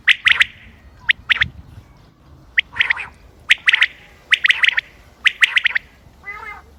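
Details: Common quail calling, 28 May 2025, recorded for quail hunting: bursts of sharp clipped notes in twos and threes with pauses between, ending in a softer wavering note; low background rumble.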